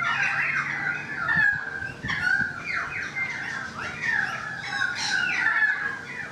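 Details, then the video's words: Currawong on a balcony singing: a continuous stream of gliding, rolling whistles, rising and falling, with phrases running into one another throughout. "The Currawong Song"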